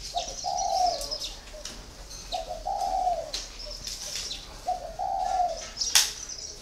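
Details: Four-year caged spotted dove, a còi, calling three mellow low coo phrases spaced about two seconds apart. High thin chirps from other birds and a sharp click near the end.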